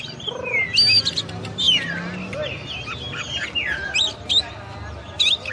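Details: Oriental magpie-robin tutor song from champion kacer birds: dense, scratchy high chirps and whistled sweeps with a hissy background and some lower wavering tones.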